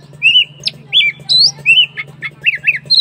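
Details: Oriental magpie-robin delivering clear, loud whistled phrases, each a short slurred note bending up or down, repeated roughly twice a second over a faint constant low hum.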